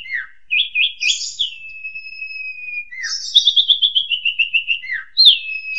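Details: Master song of Asian pied starling, used to teach young birds: brief warbled notes, a long flat high whistle, then a rapid descending trill and a downslurred note, no other sounds.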